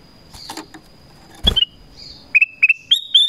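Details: Black-crested bulbul calling wild birds: after soft background noise and a thud, a brisk phrase of short whistled notes stepping up to a higher rising finish.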